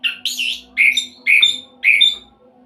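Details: Orange-headed thrush in 'roll speed' song, meant to lure other birds into singing: four separate rich, slurred whistled phrases about half a second apart, mid-pitched with higher overtones, with a steady low hum.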